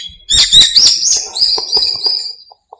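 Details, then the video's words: Dawn birdsong in a small park in breeding season: a loud burst of high chirps running into a long, level whistled trill that fades after about two seconds. "공원의 새소리"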